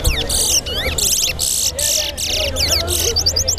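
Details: Towa towa, the chestnut-bellied seed finch, singing during a bird singing competition at Lusignan, Guyana: a rapid series of loud buzzy, rasping bursts and slurred whistles, ending in quick chipping notes, with a crowd murmuring behind.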